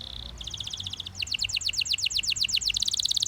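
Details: Belgian canary singing: a short steady high tone, then a run of rapid paired chirps, then a fast, strongly rhythmic trill of bright downward-sweeping notes that grows louder and speeds to about four notes per second.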